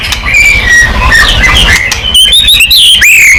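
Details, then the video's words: Vigorous white-rumped shama singing, used to trigger replies: soft wavering whistles at first, then clear, loud, high slurred whistle phrases that rise and fall. "MURAI BATU GACOR|Hanya cukup 5 detik Langsung NYAUT!!"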